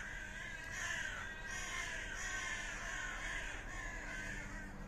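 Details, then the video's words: Fighting common ravens give a continuous stream of rough, hoarse calls, several voices overlapping into an unbroken harsh clamour, with a low background hum. "Bójka! Kruki sie biją!"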